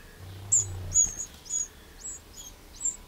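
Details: Eurasian wren in a garden in the Châtillonnais, Burgundy, France, on 2 June 2023, giving short, high, thin call notes at uneven intervals, about six in three seconds, over faint low background noise.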